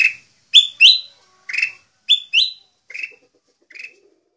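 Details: Singing in Indonesia, a black-crested bulbul gives paired and single sharp whistled notes that grow softer toward the end, with faint low tones underneath in the final second.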